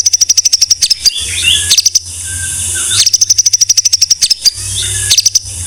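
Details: Tutor recording of a white-rumped shama: rapid high ticking runs alternate with short slurred whistles, the pattern repeating about every two seconds, with a faint low hum underneath.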